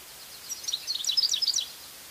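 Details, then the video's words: European goldfinch (Carduelis carduelis) song, recorded in the wild: a quick burst of high, tinkling twitters, about a second of bright, liquid notes skipping up and down, against faint background hiss. "Cardellino "Canto""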